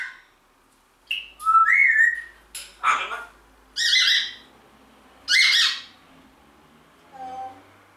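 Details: Congo grey parrot kept indoors, speaking "Guten Morgen": squawky speech-like syllables and a whistled rising note in a quick sequence, ending with a softer tone.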